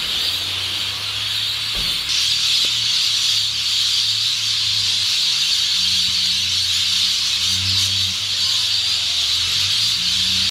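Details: Rainbow lorikeets gathering at sunset from around the Port Douglas peninsula to roost in a downtown tree, Australia: a dense, continuous wash of high shrill screeches and squeals from many birds, with a low rumble underneath.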